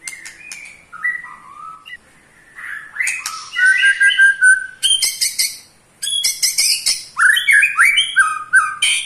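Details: White-rumped shama, eight months old, Pastol type, singing ketrekan that provokes rival shamas: clear whistled slurs alternating with dense chattering rattles, repeated in rapid bursts separated by short pauses.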